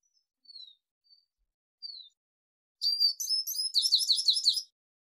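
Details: Arabian babbler calling, for training and hunting: a few thin downslurred whistles are spaced apart, then a loud jumbled chatter of quick squeaky notes lasting nearly two seconds.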